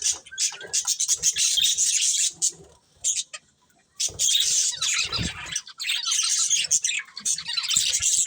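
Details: Colourful budgerigars chatter in fast, squawky chirps and rasping warbles, falling silent for about a second midway before the lively chorus resumes with a low thud.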